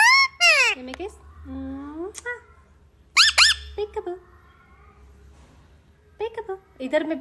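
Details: Indian ringneck parakeet at home imitating speech: sharp squeaky word-like bursts with bending harmonics, lower drawn-out nasal phrases, and soft chatter between, in a small room.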